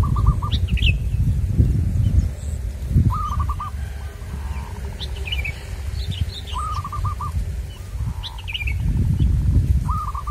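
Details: Local Indonesian zebra dove from wild-bird trapping country, cooing song phrases repeated about every three seconds: a short lead note then a rapid run of mellow, staccato coos. Faint high chirps from other small birds, steady low rumbling background noise.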